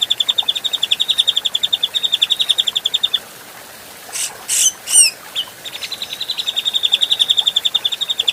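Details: Adult Grey-cheeked bulbul in a training recording for other birds: long, fast, even runs of high chirps, about three per second, interrupted by three loud rasping bursts before the chirping resumes.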